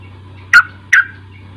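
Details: Two short, harsh, downward notes about half a second apart from a sooty-headed bulbul, used as lure sound to get a young bird to sing, with a low steady hum in the background.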